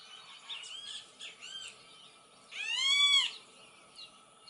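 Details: Great kiskadee in nature: faint scattered notes, then one loud, harsh, richly harmonic arched note lasting about half a second, with quiet calls trailing after.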